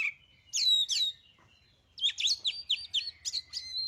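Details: White-rumped shama song meant to provoke birds into singing: two loud slurred whistles, a pause, then a quick run of sharp, varied high notes.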